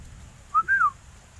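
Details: A singing sooty-headed bulbul gives a clear, mellow two-note whistle: a brief note, then a longer one that slides gently downward, over faint background hiss.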